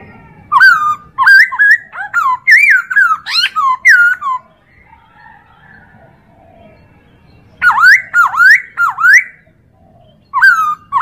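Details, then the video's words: Chinese hwamei tutor song for training other birds: a long run of loud, ringing whistles, each bending up and down, then a quiet stretch, then further phrases of rising swoops and a final falling note. "MASTERAN POKSAY HONGKONG"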